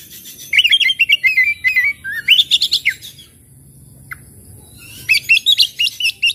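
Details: Oriental magpie-robin whose singing is meant to coax quiet, stressed birds into full song: a wavering whistled phrase, a loud burst of varied chirps, a pause with one short note, then another run of rapid high notes.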